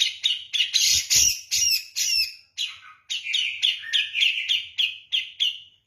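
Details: Grey-cheeked bulbul of Java singing vigorously, kapas tembak-like. Harsh, rasping bursts come first, then a brief pause, then a regular run of quick, bright chipping notes.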